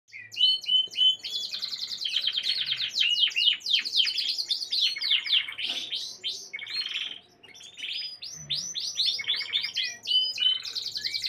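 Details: Gloster canary song recorded on 4 March 2022 among other canaries: long rolling trills and sweeping, rapidly repeated high notes, a short pause near seven seconds, then further bright trilled phrases.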